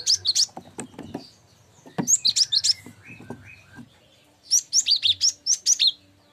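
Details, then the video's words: Cinereous tit, known locally as gelatik batu, sung as a tutor recording for training songbirds: bursts of high, sharp twittering notes in quick clusters, separated by short pauses, with faint clicks and low rumbling between phrases. "Masteran gelatik batu"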